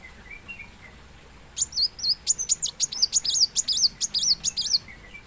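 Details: Kolibri wulung, the plain sunbird, delivering a fast, steady series of high, sharp, curling chirps lasting about three seconds, preceded and followed by faint softer, lower notes.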